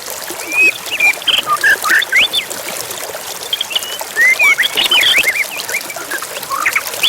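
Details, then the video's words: White-rumped shama singing emotionally, a lure to trigger fighting spirit in other shamas, set against nature sounds and a flowing river; clear slurred whistles and short chirps come in clusters over constant water noise. "PANCINGAN MURAI BONGKAR ISIAN BIKIN KONSLET"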